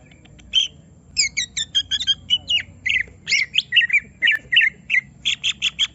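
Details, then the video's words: Provoked caged greater green leafbird in excited full song, pouring out rapid chirps, buzzy squeaks and twisting whistled notes in a nearly continuous, uneven stream. "Semua Cucak Ijo Langsung Emosi Bongkar Isian mendengar suara Cucak Ijo lagi di Trek Emosi ini"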